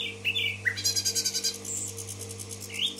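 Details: Common nightingale in Tashkent singing: rising whistled notes, then a rapid run of about a dozen sharp repeated pulses high up, a short pure whistle, and a closing upslurred note over a steady low electrical hum.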